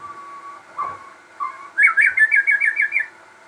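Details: Crossbred shama, a persistent singer: a low held whistle and two short slurs, then a quick rolling series of about eight bright repeated notes lasting roughly a second.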